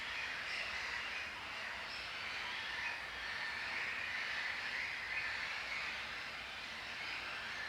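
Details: A breeding colony of Sandwich and common terns at Racó de l'Olla reserve, Albufera Natural Park, gives a dense, continuous din of harsh, grating calls, many birds overlapping at a rapid, uneven pace with no pauses.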